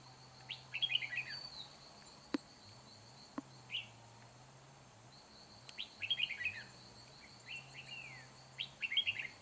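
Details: Decoy red-whiskered bulbul in a trapping session, 4 April 2021: short, bright chirruping phrases repeated about every two to three seconds, with sharp clicks, a continuous high insect whine and a low wavering hum.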